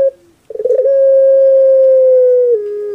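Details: Cage-kept puter pelung dove from Java, Indonesia, with a soft voice: a short note, a rough stutter, then one long steady hoot lasting about two seconds, stepping lower at the close.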